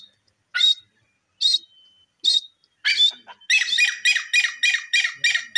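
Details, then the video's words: Grey francolin: four spaced shrill notes that speed up into a rapid run of harsher, rasping notes, repeated several times a second. "bhura teeter ke voice,dakhni teetar bird sound"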